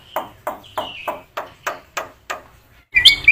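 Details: Black-winged myna in full song, used as training material for other mynas: a string of harsh, noisy notes repeated about every third of a second, ending in a sudden high, squealing whistle.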